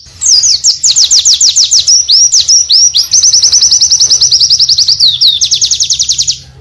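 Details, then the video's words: Oriental white-eye in a long, varied song: rapid high trills of sweeping, slurred notes, fast runs of repeated descending strokes joined by twittering phrases, sustained almost without pause over a faint low hum. "AUDIO PLECI ISTIMEWA FULL VARIASI"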